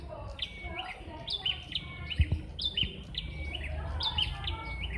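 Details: Competing bar-winged prinias answer one another with rhythmic chirped phrases ending in flat whistles, roughly three phrases a second, over steady low background noise and a couple of soft knocks.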